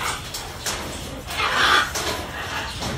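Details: A pair of blue-throated macaws (Ara glaucogularis), also called Caninde or Wagler's macaw, foraging and giving harsh, raspy squawks, the loudest a drawn-out screech near the middle, over a steady background hiss.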